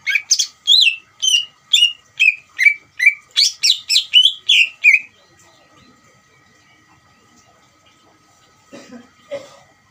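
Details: A greater green leafbird delivers a challenging song to draw a response from another leafbird: a rapid series of whistled and buzzy notes for about five seconds, then quiet with faint background sounds.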